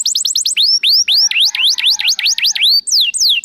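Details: Canary in full song to stimulate other canaries: rapid high chips giving way to looping whistled notes that dip and rise, repeated roughly four times a second, bright and clear throughout.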